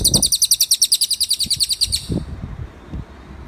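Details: Master song of a cililin for bird training: about two seconds of fast, high, piercing repeated notes, followed by scattered low taps.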